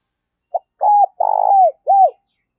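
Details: Spotted dove used as a lure bird, in the deep 'giọng thổ' voice style, giving one low cooing phrase: a short clipped note, a level coo, a long burry rolling coo, then a falling slurred final coo. Otherwise quiet.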